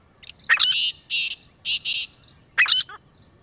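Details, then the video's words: Grey francolin pair calling: harsh broadband squawks alternating with loud clipped high notes in pairs, then another squawk, over a quiet background. "Beautiful Sounds of Grey Partridge Pair | تیتر جوڑے کی آواز | Grey Best Francolin Pair Voice"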